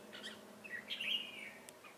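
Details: Decoy red-whiskered bulbul of the 'ché cười' style, singing to lure wild birds into a trap, 25 June 2018: one drawn-out whistled phrase that climbs and then slides gently downward, preceded by brief chirps.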